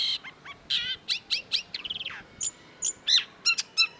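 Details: Long-tailed shrike in varied song: harmonic chattering notes, a fast rattled run, then clear high whistles and sharp chips spaced irregularly.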